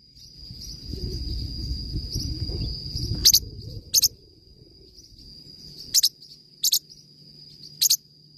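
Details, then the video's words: Forpus parrotlet singing: low rumbling background noise for the first three seconds, then five crisp doubled high chirps at uneven intervals, with a continuous thin high tone throughout. "forpus bird singing"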